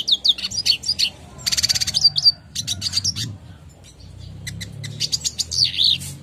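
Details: Red siskin singing a clean tutoring song for caged birds, with quick high chips, a dense buzzy trill, stuttering rapid notes and closing twittered slurs, faint low hum beneath.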